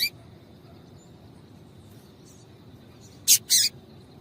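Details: A female Double-collared seedeater calls to stir a male into singing. A chip at the start, then after a pause a quick double of buzzy high chips, with faint hum underneath.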